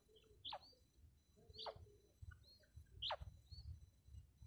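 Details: Female common quail call used as a lure in quail net hunting: three sharp, downward-sweeping calls about every 1.3 seconds, over a low rumbling background.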